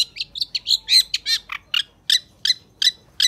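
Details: Long-tailed shrike in full, excited song used to train other shrikes: a rapid run of harsh scratchy notes, then loud clipped chips repeated about every third of a second.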